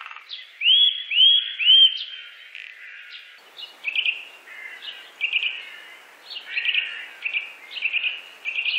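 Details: Eurasian nuthatch, Wittlich valley, Germany, 2018: three bright rising whistles open the sequence, then a string of shorter, softer chirping notes repeated about twice a second.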